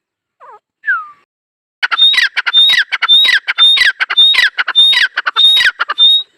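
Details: Partridge known as dakhni teetar: two short downslurred whistles from another bird open the recording, then a loud, regular run of harsh rattling notes with bright whistled tops, repeated roughly every half second.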